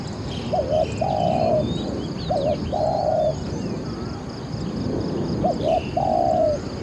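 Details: Spotted dove decoy calling to lure wild doves toward a trap: three phrases, each a short hooked double coo followed by a drawn-out mellow note, spaced a few seconds apart, with thin high chirps from other birds.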